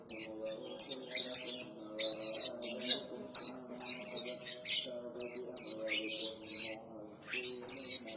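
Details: Young plain prinias calling, a sound said to attract adults: rapid, rasping, high bursts repeated roughly every half second, some clustered in quick runs, above a continuous low humming drone.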